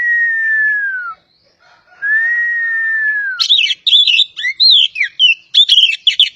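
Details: Kacer poci, the Oriental magpie-robin of Java, gives two sustained, gently falling whistles. These are followed by a rapid, jumbled series of scratchy chirps and twitters.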